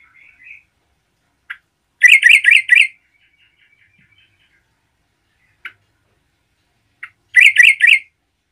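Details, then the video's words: A lively yellow-vented bulbul, used to stir up other bulbuls, gives two short bursts of quick, bubbly, chattering notes, each under a second long and several seconds apart, with a few sharp clicks between. "MERBAH CEROCOK GACOR GARUDA AMPUH UNTUK MENDRONGKRAK EMOSI TRUCUKAN LAIN"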